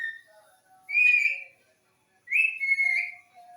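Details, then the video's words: Green talking parrot giving two loud, slightly wavering whistles about 1.4 seconds apart, each lasting roughly half a second, with quiet gaps and a faint low steady tone in the background. "Talking Parrot"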